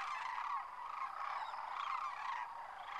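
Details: Thousands of wintering sandhill cranes lifting off from their roost at Whitewater Draw near McNeal, Arizona: a dense, continuous chorus of rolling, trumpeting rattles overlapping without pause, swelling and easing in waves.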